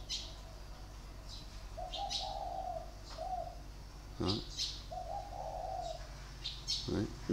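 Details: Cooing of a spotted dove with a sharp voice, recorded 23 February 2020 and singing in the three-note style: soft low coo phrases heard twice over steady background hum, with clicks and knocks.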